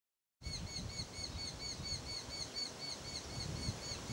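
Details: One of a pair of Eurasian hobbies at their nest gives a fast, even series of sharp, high 'kew-kew-kew' notes, about four a second, over a low rumble of wind.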